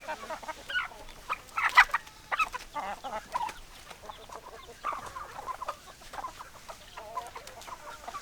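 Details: Hens cluck in a rural setting: short, overlapping clucks and squawks at varying pitch, louder bursts near two seconds, then a steady scatter of softer clucks from several birds.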